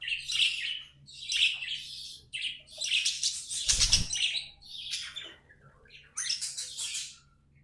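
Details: Pet budgerigars chirp and warble in scratchy high bursts, with a brief flutter of wings or a thud in the middle before the chattering resumes.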